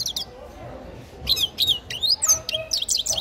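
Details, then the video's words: Young grey-crowned goldfinch singing, with a few high chirps and then, after a quiet second, a series of twisting, slurred whistles and sharp tweets. "Птенец щегла пение"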